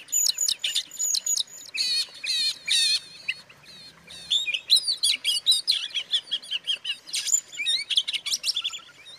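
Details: Provocation song of an Oriental magpie-robin, used to make other magpie-robins agitated. Sharp staccato chips and high whistled phrases come in loud bursts, dip quieter for a moment, then resume with varied trills.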